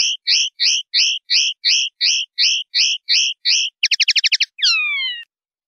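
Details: Common linnet, 'pardillo limpio' clean-style song from the Spanish silvestrismo tradition: about eleven evenly spaced doubled chirps, then a quick buzzy trill and closing downward-sliding whistles, all in a quiet background.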